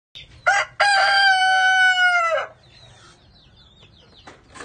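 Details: Rooster crowing in the morning: a short loud burst, then one long, sustained, harmonically rich crow lasting under two seconds with an abrupt fall at the end, followed by faint clucks and low background hum.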